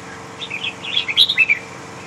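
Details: ['Large red-whiskered bulbul of the Huế type. A brief run of bright chirping whistles climbs toward the end and finishes in three quick emphatic notes, heard over a steady low background hum.']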